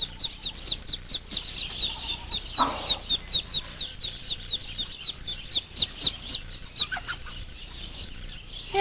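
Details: Practically newborn Muscovy ducklings, two to three days old, out exploring with their mother; rapid high peeps repeat in a steady pulsing series, with a brief lower rustle midway and background hiss.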